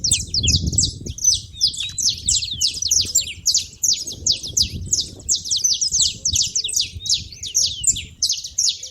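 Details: Saffron finches noisy at a feeder, a crowd of birds giving quick, high, scratchy chirps in an unbroken overlapping stream over a soft low hum.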